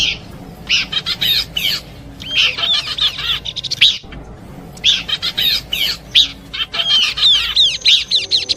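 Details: Combination song of Horsfield's babbler for bird luring, made of loud, high, busy chirps and sweeping whistled notes in dense bursts roughly every second or two, with brief quiet gaps between phrases.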